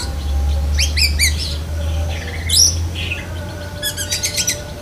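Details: Black-breasted oriental magpie-robin imitating lovebird calls: rapid clusters of high chirps, a harsh squawk-like note, then a fast run of sharp ticking chirps, with a steady low hum throughout.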